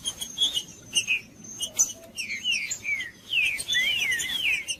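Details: Green-winged saltator recorded in the bush as a warm-up for caged birds: a few short clicks and chips, then bursts of fluid, looping whistled phrases, with a steady thin whine in the background.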